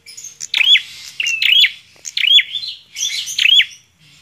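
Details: Bar-winged prinia singing hard to test another prinia's nerve: four bursts of buzzy, twanging notes that dip sharply in pitch, spaced under a second apart.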